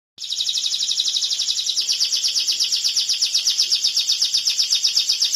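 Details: Canary song: a fast, high, buzzy trill of evenly repeated notes, about four per second, sustained without a break throughout.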